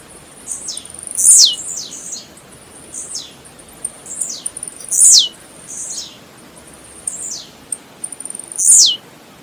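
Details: Blue-black grassquit singing in nature: a string of faint high ticks before each loud, buzzy, very high note that sweeps sharply downward. Phrases come roughly every two seconds, with fainter answering phrases from more distant birds between them.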